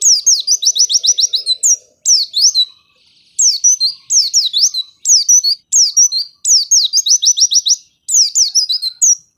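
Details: Energetic white-eye song for prompting lazy white-eyes to sing; rapid high descending whistles in long rattling runs and shorter bursts, nearly continuous throughout.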